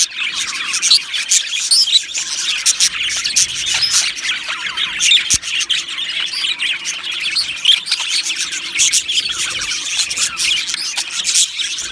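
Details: Budgerigar colony in an aviary, a constant, crowded warble of thin high chirps, clicks and twitters from many birds together.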